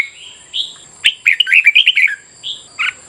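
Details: Red-whiskered bulbul morning competition song, a soft whistled note followed by a quick rolling burst of warbled chirps and two more short clear whistles, steady high whine in the background.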